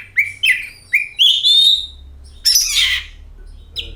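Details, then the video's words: Oriental magpie-robin singing as a lure: three short rising whistles, a longer sustained warble, a harsh scratchy burst, then a final brief note. "Pancingan Kacer"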